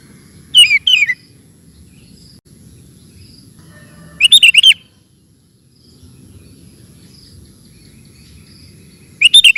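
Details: Sooty-headed bulbul in lively (gacor) song, a recording meant for teaching cage birds. Short bursts of three or four bubbly, liquid whistled notes come about every four seconds, with faint low rumble between phrases.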